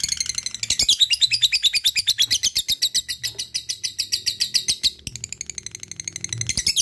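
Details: Ngekek song of a lovebird, long and lively: rapid shrill chatter repeated in a tight stream, briefly dropping in volume near the five-second mark before surging again.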